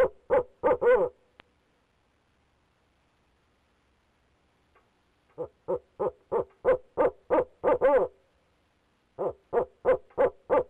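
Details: Male barred owl calling on and on from a nest box, Leesville, 2018, on a nest camera: rapid deep hoots with wavering ends, about four seconds of silence, then two long runs of steady hoots about three per second.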